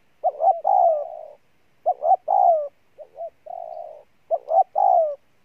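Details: Bổi, a spotted dove, cooing insistently: stressed double note leading into a long warm falling coo, then quieter paired notes and a level coo, the pattern repeating.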